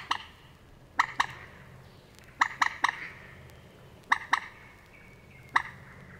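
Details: Moorhen among Matsalu reed beds, USSR, recorded in 1979: abrupt knocking notes given in pairs and triplets with irregular pauses, a faint high thin tone running beneath.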